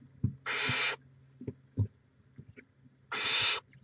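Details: Two loud, breathy screeching hisses, nearly three seconds apart, from a barn owl nest watched by live camera in Chula Vista, California on 18 May 2017, with soft knocks and a steady low hum.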